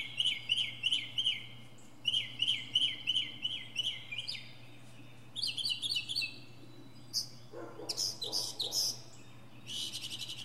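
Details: From a pine treetop, a northern mockingbird cycles through phrase types: fast repeated downslurred chirps, then higher buzzy notes, then sharp harsh bursts near the end, each phrase repeated several times before switching.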